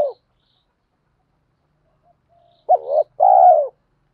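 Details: Spotted dove cooing, with male and female birds featured, played to stimulate newly caught doves in training; after a long silence, one short two-part coo: a rising note, then a longer, steady, slightly falling hum.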